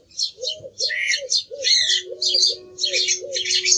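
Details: Song thrush song: dense, rapid high phrases of varied chattering notes following each other without pause, accompanied by a steady lower tone and buzzy undertones.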